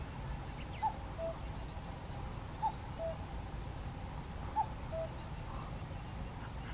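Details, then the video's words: A common cuckoo in Hokkaido on an evening, 24 June 2020, gives its two-note falling 'cuck-oo' three times about two seconds apart over a steady low rumble of background noise. "カッコウ 鳴き声"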